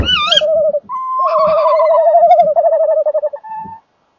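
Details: Pair of tawny owls calling together at a nest box, 19:31 on 30 January 2014; a shrill rising kewick opens, followed by long, rapidly quavering hoots, with knocking sounds between.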